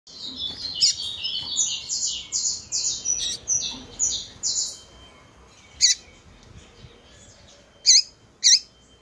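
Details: Female double-collared seedeater calling a lot to stir up males: a run of short, high, down-slurred notes in quick succession, then three sharp, ringing chips spaced apart near the end against quiet background hiss.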